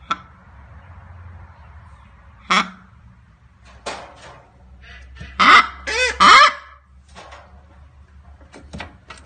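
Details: A one-month-old blue-and-yellow macaw gives harsh, raspy, honking squawks: a single one, then a loud burst of three close together, over a faint background hum.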